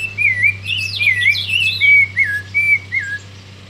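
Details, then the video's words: Hand-reared thrush chick singing in the hand, giving a tight string of wavy whistled notes with thin high twittering layered on top, fading into a few softer falling whistles, steady low hum behind. "Zorzal pichon criado ah pico cantando en mano"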